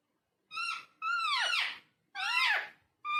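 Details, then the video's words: Talking parrot giving three drawn-out, harmonic, speech-like sounds, the middle one sliding downward in a long swoop, separated by short silences. "Talking Parrot"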